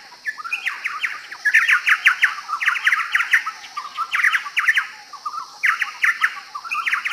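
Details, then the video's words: Chowchilla (Spalding's logrunner), a ground-dwelling bird endemic to northeast Australia, sings loud, rollicking bursts of rich, chattering notes, each phrase about a second long, repeating after brief pauses over a steady high insect hum. "Canto de la Colaespina de Spalding"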